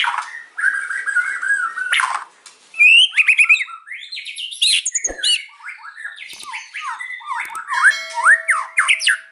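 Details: Varied, energetic white-rumped shama song in the afternoon: a steady whistle, then rapid slurred phrases, sweeping notes, and dense chattering runs with little pause.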